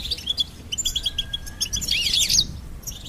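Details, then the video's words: Goldfinch song: bright, rapid high chirps and twittering notes in quick bursts, building to a dense, scratchy jumble of high trills near the end, with a faint steady low whistle underneath for a moment. "Goldfinch Singing and Song Compilation"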